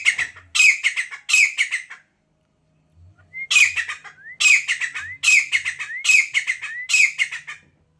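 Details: Grey francolin, known locally as teetar, kerja or kamuju, calling loudly: harsh ringing triple-note phrases, each led by a rising whistle, repeated roughly once a second in two bouts with a short pause between.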